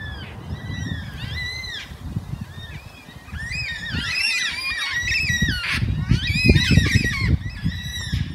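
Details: About six or seven black cockatoos, thought to be red- or yellow-tailed, trade harsh, wailing arched calls, overlapping thickly later, over steady wind rumble in Ku-ring-gai Chase National Park, Sydney, with the moon up.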